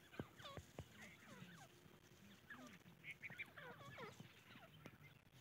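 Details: Grey francolin chicks producing a busy stream of falling, whistled peeps, often in quick runs of two or three notes, overlapping one another, with a soft low hum underneath.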